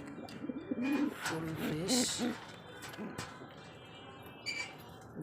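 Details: Pigeons from a pair: a series of low wavering coos in the first half, among bursts of broadband noise and handling sounds.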